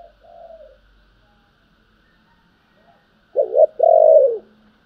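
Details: Spotted dove cooing in the Vietnamese 'thúc' and 'gọi' styles: a faint, soft coo, then after a pause a loud phrase of a quick wavering double note followed by a long, low, gently falling coo; quiet background.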